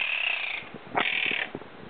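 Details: An 8-month-old pet monk parakeet (Quaker) growls at birds outside the window from behind a blind: a harsh, grating growl, rough and raspy, with a brief upward sweep partway through.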